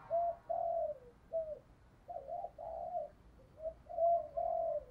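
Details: Spotted dove kept as a decoy bird to lure wild doves, giving a local-style urging coo and calling coo. The low, hollow cooing phrases are fairly quiet and come in short repeated bursts with brief pauses.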